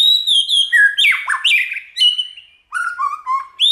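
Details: White-rumped shama singing a varied song to stimulate other shamas: clear whistled notes with strong harmonics, falling slurs and rising sweeps, a short pause, then lower warbled phrases and a final rising whistle.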